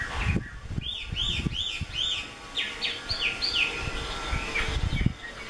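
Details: Chinese hwamei, a prized, well-formed bird kept by a skilled keeper, singing a series of rich, looping whistled phrases that rise and fall, some slurred downward, over low background rumble and knocking.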